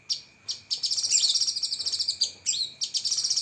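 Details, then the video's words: Cucak kinoi delivering sharp 'tembakan' filler phrases: sharp high notes, then a continuous fast pulsed trill with brief swooping notes inside, nearly without pause, over a steady thin background tone. "Masteran Burung Cucak Kinoi Full Isian Tembakan Pedas"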